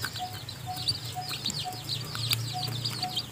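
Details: Newly hatched chicken chicks in their nest, still too weak to leave it, while the mother hen feeds them: a dense chorus of high, thin peeps over a steady faint beeping tone that repeats about twice a second, with a low hum beneath.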